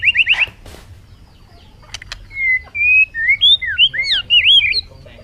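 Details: A brief burst of quick rising chirps, a pause with faint clicks, then a bird gives clear slurred whistles, some long and steady, others looping up and down in a loose sequence.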